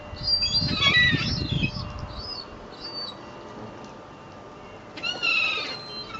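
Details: Gulls taking bread at Fleetwood Docks on a sunny day: a squealing burst with a low thump, then quiet, then another shrill overlapping cry.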